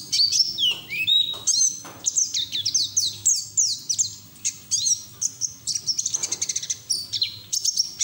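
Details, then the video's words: Wild-style 'ngalas' white-eye song, played to get untrained white-eyes singing; a long, dense torrent of high chirps and slurs, fast and varied, ending in a rapid stuttering series of near-identical chips. "PLECI NGERIWIK TELER BUKA PARUH NGALAS UNTUK TERAPI PLECI BAHAN"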